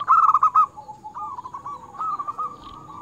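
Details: Zebra dove of local stock, singing eagerly in a clear crystal tone, used to lure wild doves. One loud, quavering coo phrase opens, then softer rolling trilled notes trail off for two seconds.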